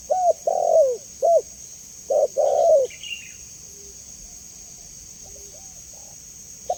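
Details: Spotted dove giving a clear call, as used for training and luring other doves: a short phrase of low, hollow coos, one longer, bending down at the end, then a quieter pause, over a steady high hum.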